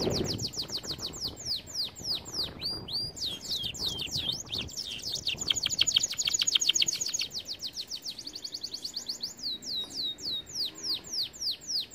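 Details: Powerful canary training song: series of sharp downward-swept chirps repeated several per second, speeding into dense trills, then slowing again, with faint low noise behind.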